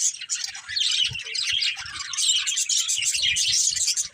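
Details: Budgies from a family flock chirp and chatter continuously, a thick wash of squeaky, buzzy warbling notes with a few soft low taps in the background.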